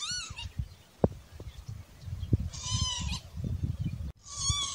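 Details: Spur-winged lapwing calling three times, with loud, rasping, strained notes at irregular intervals, set against steady low rumble and a few sharp thumps.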